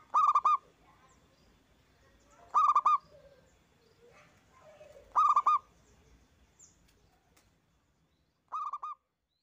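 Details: Zebra dove (perkutut) giving loud lure song meant to stimulate other doves to sing. Four cooing phrases of several quick rolling notes come every two to three seconds, the last one quieter.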